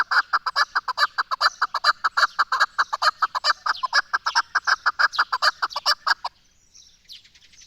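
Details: Loud, rapid chattering chuk series from a chukar partridge, Pakistan's national bird, repeated evenly for about six seconds, then stopping abruptly, leaving near silence.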